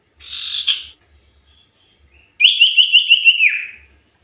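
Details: Common iora singing energetically as a lure recording: a harsh, buzzy rasp first, then after a pause a rapid wavering whistled trill of about ten pulses lasting a second, dropping slightly in pitch at its close.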